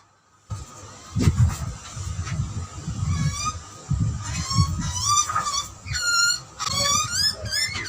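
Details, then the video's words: Two butcherbirds, a young one and an older one, exchange calls at feeding time. After a silent start come clear rising whistles and high warbled notes, over a constant low rumble and thumping. "Two Birds chatting to each other during feeding ? Australian Butcherbird"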